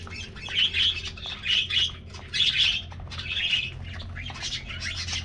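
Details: Aviary budgerigars in a colony taking a morning diet treat: clear chirpy warbling phrases roughly every second, bright and squeaky, rising and falling, over a soft low hum.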